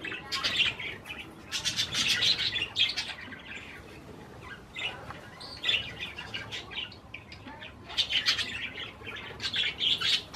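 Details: Pet budgerigars chirping while eating cherry tomatoes: bursts of bright, rapid twittering chatter in clusters with short pauses between.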